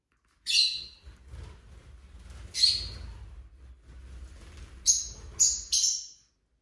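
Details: Pet lovebirds indoors giving scattered high, harsh chirps: two longer screechy notes a couple of seconds apart, then three quick clipped chirps in a row near the end, over faint room rumble.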